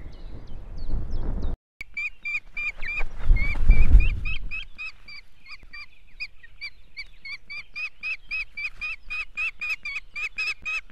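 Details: Osprey at its nest in Estonia, 2018: after a burst of loud rustling, a fast, steady series of short, sharp whistled chirps, roughly three each second, keeps going to the end.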